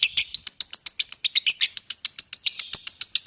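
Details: Lovebird giving a ngekek song: a long run of rapid, shrill, evenly spaced chattering notes, about four per second, sustained throughout.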